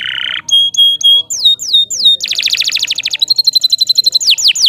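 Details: Canary song meant as a master for tutoring other birds: a harsh burst, spaced short whistles, falling slurred notes, then a long rapid rattling trill and a closing series of sweeping whistles.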